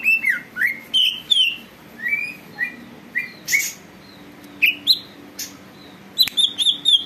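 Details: Greater green leafbird, kept bird, in energetic song meant to make other leafbirds sing: separate downslurred and upslurred whistles spaced about half a second apart, with a few sharp clicks.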